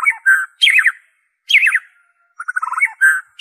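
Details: White-rumped shama song, pure without mimicked inserts, used to prompt captive birds to sing or lure wild ones: short whistled phrases of quick slurred notes, broken by brief pauses, no other sounds.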